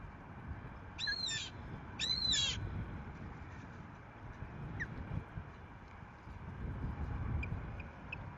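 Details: Osprey at a nest in Rutland on 14 March 2024, the resident female seeing off an intruding female after the male brings a fish: two loud harsh bursts of stacked, squealing notes a second apart, then faint scattered chirps over steady wind rumble.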